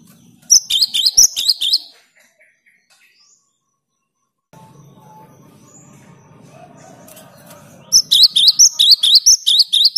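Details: Cinereous tit, caged and in full song, played to stimulate silent caged tits to sing. Rapid bursts of high, sharp repeated chirps open and close the passage, separated by a quiet stretch with low background hum.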